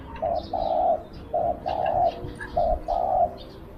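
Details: Spotted dove kept as a decoy for luring wild birds, calling in a small voice: three clear phrases of a clipped note followed by a longer steady coo, evenly spaced, with faint high bird twitters behind.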